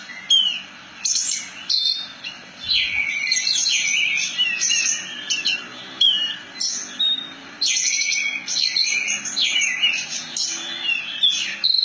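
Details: Branjangan (Javan bush lark) in long ngerol nembak song: dense bursts of piercing high chirps and quick slurred trills, repeated in short clusters with brief gaps.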